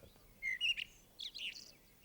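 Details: A male common blackbird gives its territorial song, warning other blackbirds off his territory: a few clear fluting whistled notes, then a higher scratchy twittering flourish, over quiet room hiss.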